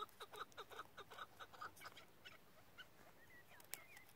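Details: Chukar partridge, a caged decoy bird kept for hunting, calling in a fast series of short harsh clucking notes, about two or three a second, fading into softer chirps from other small birds.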